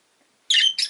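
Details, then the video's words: A single rosy-faced lovebird gives a loud, harsh, broadband squawk, followed a moment later by a second shorter screechy note. "Lovebird Chirping Sounds"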